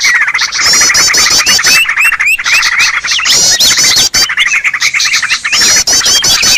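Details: Noisy Green leafbird calls used for luring birds: a busy tangle of scratchy chirps, slurred whistles and quick trills, many voices overlapping without pause.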